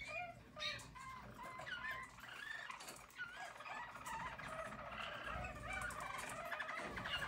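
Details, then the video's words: Yellow Harz German Roller canary, recorded in 2022, sings a soft, continuous stream of rolling, warbled notes rising and falling at mid pitch over a steady low background hum; Canary. "Harz German Roller Canary singing"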